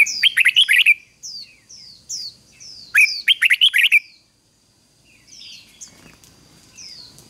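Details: Red-whiskered bulbul decoy singing to call in wild birds: two vigorous phrases of fast, chattering warbled notes, each about a second long, with softer high slurred chirps between and after.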